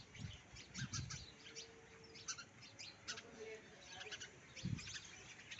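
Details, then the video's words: Chittu kuruvi, a little sparrow, heard outdoors: quick, sharp high chirps in scattered bursts over a quiet background, with a faint low steady tone and a few soft low thumps. "Nature sound of little chittu kuruvi"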